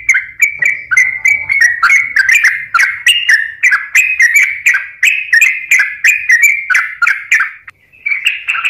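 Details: Sooty-headed bulbul in energetic full song, played as a lure to prompt listless or stressed birds to sing: short, bubbly whistled phrases centred high and repeated about three times a second, with bright chirps above, on a quiet background.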